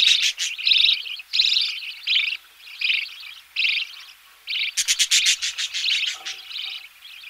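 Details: Budgerigar chicks being fed in the nest: raspy begging bursts repeated irregularly, then a fast clicking series and more harsh chatter, heard close with occasional knocking.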